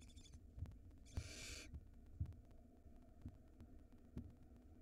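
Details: Barn owl nestling at its nest in Israel during the 2022 season, feeding on a rodent; a faint hiss opens, then a loud rasping hiss, followed by soft rhythmic knocks and thumps.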